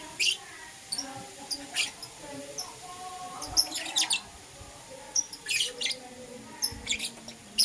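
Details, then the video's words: Euwing Green Opaline and Lutino lovebirds chirping in the morning, sparse sharp high chirps spaced out over the clip, with soft lower warbling tones in the background. "Lovebird Chirping Sounds - Euwing Green Opaline & Lutino"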